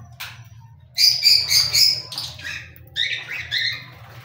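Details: Cockatiel chirping in a rapid burst of four bright, grating notes, then a second shorter run of descending chirps; faint low hum throughout.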